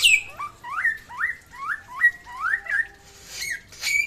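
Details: Samyong from West Nusa Tenggara: a regular series of about eight rising whistled notes, each an upward slur, followed by harsher high squeaky notes at the end.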